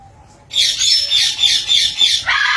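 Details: Green and blue parrot letting out one continuous grating screech that pulses in loudness, starting abruptly after a brief quiet pause with a thin steady tone.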